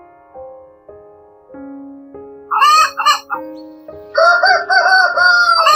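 A rooster gives two loud, hoarse crows, each a drawn-out series of harsh notes, after a few seconds of soft, low, stepped musical tones.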